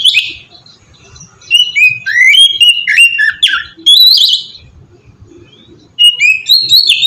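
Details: Kacer in ngeplong style, a recording used to draw other magpie-robins into song: short bursts of sweet whistled notes, sliding down and up, separated by brief silences and ending in a fresh rapid phrase.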